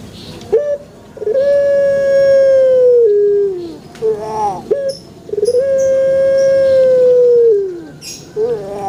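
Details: Pelung chicken crow in two long, level, sustained notes of about two seconds each, each tapering off with a drop at the end, with short rising starts and light background noise.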